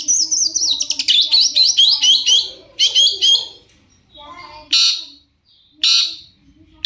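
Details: Long-tailed shrike in excited lure song to make other shrikes respond; a rapid stream of chattering, warbled notes, then a few loud buzzy, rasping bursts separated by short silences.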